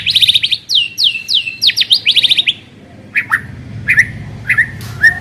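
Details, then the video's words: White-rumped shama singing, used as a lure to make another shama sing: a fast series of sharp downward-swept whistles repeated in a rhythmic run, then spaced single slurred notes over a low background hum. "Pancingan suara burung murai batu agar cepat bunyi dan ngeplong"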